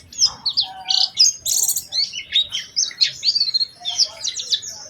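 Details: Oriental white-eye lure song to get other white-eyes singing: a busy, varied stream of high twittering, buzzy and whistled notes with short pauses, loud and near.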